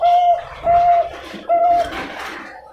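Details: Bangkok-style zebra dove from a bird farm in Pasuruan, East Java, Indonesia, hatched 14 June 2022, known for a thick, rhythmic voice: three drawn-out, level coos, then a stretch of rustling and handling noise.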